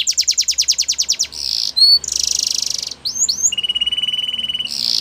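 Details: Belgian canary singing, meant for training young canaries: a fast trill of rapid repeated notes, buzzy rolled sections, a steady flat trill and short whistled slurs, each phrase changing abruptly.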